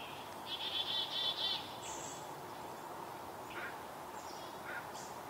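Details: Black-capped chickadee scolding a barred owl in the shade of a maple tree in Vancouver, BC, Canada: a run of harsh, buzzy dee notes lasting about a second, then a few scattered thin high chips over steady background hiss.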